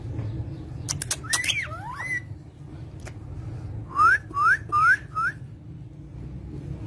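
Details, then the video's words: Parrot kept as a pet, a couple of quick squeaky notes and a looping whistle early on, then four clear, evenly spaced rising whistles in a fast row near the end, over faint low room hum. "Parrot Talking"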